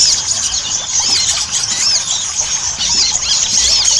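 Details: Energetic Ruby-cheeked sunbird chatter used as a lure for singing. Rapid, very high squeaks and looping whistled notes crowd together without pause, with constant hissing noise underneath.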